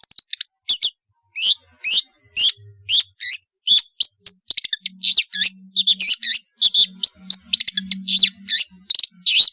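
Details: Long-tailed shrike singing vigorously with varied fill-in material, meant to coax lazy shrikes into song: loud high chirps, squeaky upward and downward slurs, and twittering notes in an irregular, fast-changing sequence.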